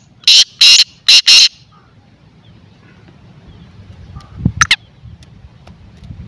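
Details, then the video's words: Francolin (white or black teetar) calling four loud rasping notes in quick even rhythm, followed by quiet with rustling and a few clicks and knocks. "white teetar or kala teetar ki awaz /Teetar ki awaz"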